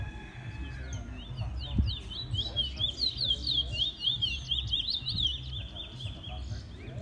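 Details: Trinidad bullfinch, a bird in its first black plumage, delivering a fast continuous twittering song of high slurred notes rising and falling in rapid succession, with a dull thump near the start and low background rumble.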